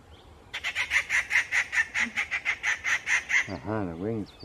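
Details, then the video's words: Rufous treepie on a bird-watching trail at Rajaji Wild Trail, Rajaji National Park, gives a harsh, rasping chatter of about a dozen quick notes, roughly four a second, before a man's voice briefly speaks. "Rufous Treepie"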